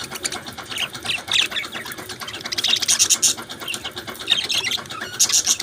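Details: Budgies chirping together in a dense, busy chatter of high scratchy warbles and short squeaky notes, with brighter chirp bursts near the middle and end over a constant rough background hum.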